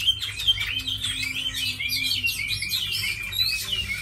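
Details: Tame Chinese hwamei, kept as a good fighting bird and fine singer, delivering a dense, rapid run of varied whistled and slurred notes, high and continuous, with a faint low hum behind it.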